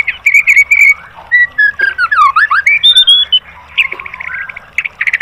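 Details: Varied white-rumped shama song, played to train caged birds to answer and sing: rich whistles, rising and falling slurs and a fast run of swooping notes in the middle, then short clipped bursts of notes.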